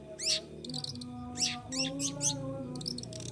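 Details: Long-tailed shrike, a kept bird cared for by a beginner keeper, giving its ngriwik chattering: loud, rapid, scratchy high twitters in short bursts, with a steady droning musical tone underneath.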